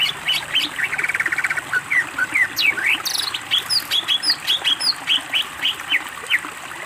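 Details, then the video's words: A greater green leafbird in full, lively song for a bird-training recording. A quick buzzy trill gives way to a rapid string of sharp, sweeping whistles and chips, delivered almost continuously. "masteran cucak ijo gacor BONGKAR ISIAN"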